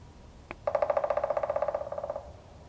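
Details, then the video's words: A male Pileated Woodpecker drums a fast, ringing, hollow roll of about twenty-five beats on a utility pole near Rockport, Maine, on the morning of 4 April 2014. "Pileated Woodpecker drumming"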